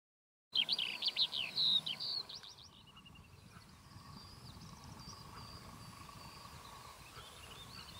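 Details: Eurasian skylark perched on a pole over its territory on a very hot day: a loud burst of fast, high, jumbled warbling notes for under two seconds, then fainter distant twittering song.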